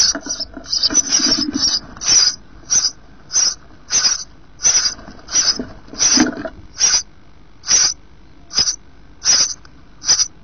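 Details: Three surviving eight-day-old sparrow chicks in a webcam-monitored nest, down starting to show, give high, thin chirps in quick bursts, repeated more than once a second, with some soft rustling early on.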